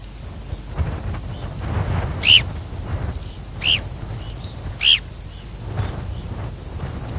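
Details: Male grey phalarope giving territorial calls, recorded close up in slightly windy conditions. Three short, sharp, high chip notes come a second or more apart over a steady rush of wind.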